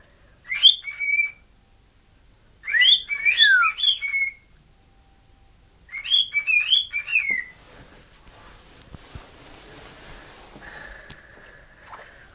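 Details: A male pet cockatiel whistles tunes he was taught, in bright, sliding phrases in three short bursts, while a woman's voice encourages him.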